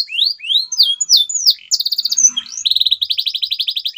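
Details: Song of a canary, played to encourage silent canaries to sing: rising whistled notes followed by rapid buzzy trills and a long pulsed rattle.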